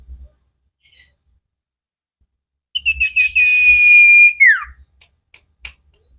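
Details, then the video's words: Common iora (cipow) recorded to train cage birds, in vigorous song: a burst of short rapid notes running into a long, level, piercing whistle that ends with a sharp falling slur, followed by scattered clicks. "Burung cipow sirtu masteran Gacorrr banget"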